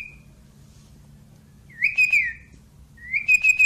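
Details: A Javan pied starling, a talking bird trained to speak Javanese, gives two clear whistled, speech-like phrases about a second apart, each sliding up then wavering at a high pitch, over a faint low hum.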